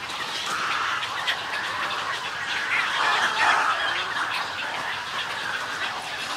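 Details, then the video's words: Colony of snowy egrets making colony calls and greeting calls, a steady wash of many overlapping hoarse, gurgling croaks that swells slightly in the middle. "Snowy Egret. MCU-CU Colony Calls And Greeting Calls"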